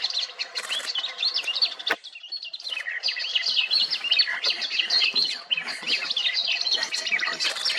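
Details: Swamp grass babbler at Maguri Beel, Assam, India, in March 2021: a busy, nonstop stream of high, squeaky chirps and twittering notes, overlapping as if from several birds at once.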